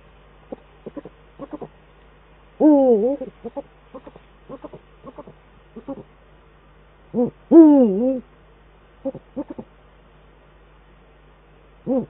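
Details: Eurasian eagle-owls, male and female pair at the nest in the Eifel, 22 December 2012, the male on the nest and at a branch, dueting: soft short hoots repeated through the stretch, broken twice by loud, harsh, wavering drawn-out calls.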